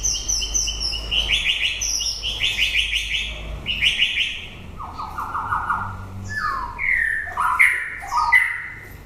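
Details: At the close of the breeding season a white-rumped shama pours out a rich varied song of rapid repeated notes, rich warbled phrases, then lower fluty whistles sliding down and up.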